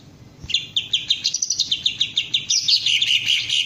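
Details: A Green leafbird in training to raise its crest and deliver ngentrok song starts a quick string of sharp, high chirped notes that run evenly, then merge into a denser warbled phrase at the end.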